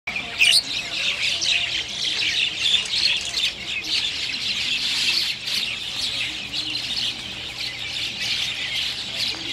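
Chestnut-tailed starlings give a continuous high chatter of squeaky, buzzy notes, with a louder squawk near the start and faint voices underneath.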